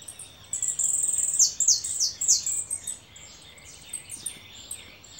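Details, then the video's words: Goldfinch kept as a caller bird, giving a rapid series of bright, high, twittering notes that slur downward, strongest in the first half and then softer, scattered chirps. "jilguero llamador"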